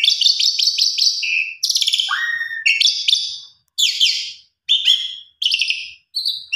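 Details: A female Asian pied starling calling to males, used as a lure, rattles off rapid chattering bursts, harsh buzzy notes and a falling whistled slur in quick, uneven phrases, with no other sounds.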